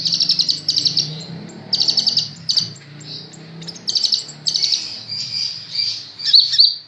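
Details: Singing kolibri ninja sunbird: quick rattling bursts of high, thin repeated notes in short clusters, interspersed with softer twitters and a pair of sharp downslurred chirps near the end.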